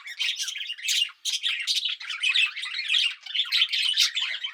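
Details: Budgerigars recorded on 24 July 2019 while calm, relaxed and napping, chattering quietly in a busy, continuous stream of scratchy chirps and warbles.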